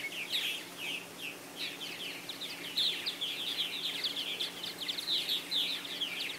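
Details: Purple martins at a busy nesting colony with aluminum houses and gourd racks in South Florida on 24 April 2012; dense overlapping chirps and gurgling chatter from many birds, steady and continuous throughout.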